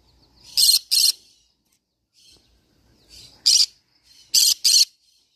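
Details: Repeated doublets of shrill, buzzy screeches from a green-cheeked conure parrot, three pairs with soft quieter chirps in the gaps and a clean quiet background.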